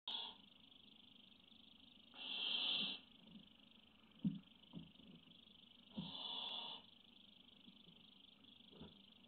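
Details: Barn owl chick on a nest webcam, recorded 03.05.17, waiting patiently; harsh rasping hisses, each under a second, come near the start, at about two seconds and again around six seconds, with soft knocks between and steady electronic hum.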